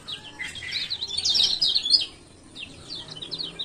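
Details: Lemon-bellied White-eye (kecial kuning), male, from Lombok, ciak ciak calls as a lure for lazy birds. Fast, chattering burst of high notes, then a quieter run of rapid evenly spaced chirps.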